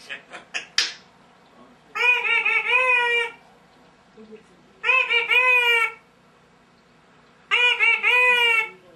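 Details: Pet African grey parrot chattering indoors: three drawn-out, nasal, rising-and-falling squawks, each about a second long and spaced a few seconds apart, after a few sharp clicks.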